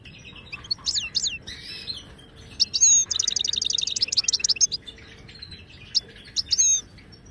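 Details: Wild Moroccan goldfinch, Widani-style song meant for training caged birds: sharp swooping whistles, a few scratchy notes, then a long fast metallic trill of many rapid notes, ending with isolated high chirps.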